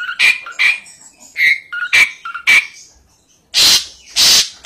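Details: Asian pied starling mixing short whistled notes and chatter in quick succession, then two loud, drawn-out rasping calls.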